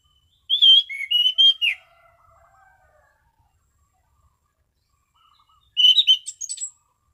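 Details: Caged Orange-sided thrush giving a relaxed, clear "ngeplong" song: a run of five whistled notes rising and falling, then a long quiet gap with faint soft notes, then a second short burst of bright whistles.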